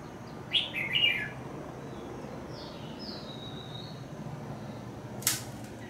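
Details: Red-whiskered bulbul during trapping of an escaped bird near a house: a quick, loud, warbled chirp phrase, then fainter thin whistled notes, and a sharp click near the end against constant low hum.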